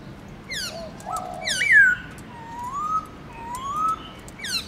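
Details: Morning 'forest voice' song from a caged black-throated laughingthrush with many varied notes: sharp downslurs, a bright whistle, then two long slow rising fluty whistles, unhurried and clear.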